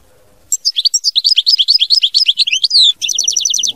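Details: Goldfinch delivering mama binette style song after a brief quiet start: rapid, tinkling high twitters run together, ending in a quick evenly repeated trill.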